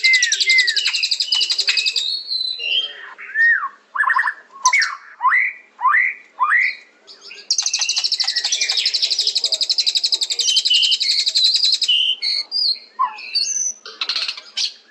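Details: White-rumped shama singing rich whistled phrases, a string of rising-and-falling slurred notes, then a long, high, rapid buzzing trill and scattered sharp chips.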